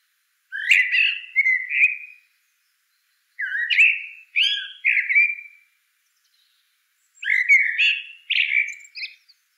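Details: Blackbird singing three separate bursts a few seconds apart. Each burst is made of two or three short, rich whistled notes that slur downward or stay level. The gaps between bursts are silent.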